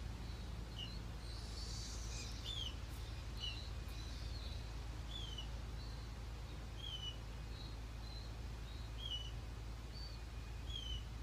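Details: A fledgling female Say's phoebe on her first day out of the nest, perched on a person's knee on a patio with her mother and siblings nearby, gives thin, high, slurred calls about once a second with a few higher chips.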